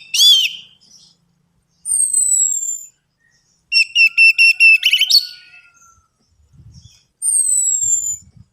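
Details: Orange-headed thrush song used as a lure to stimulate singing. Loud, clear whistled phrases come in separate bursts: a falling whistle, a rapid run of stacked notes, then another drawn-out whistle, with quiet pauses between.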